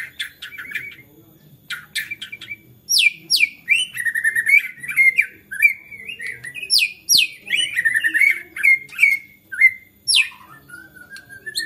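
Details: Fired-up white-rumped shama whose song provokes other shamas to sing: long rushing series of steep downward-sweeping whistles, rapid trills and clear slurred notes, closing with a lower descending whistle; faint low hum throughout.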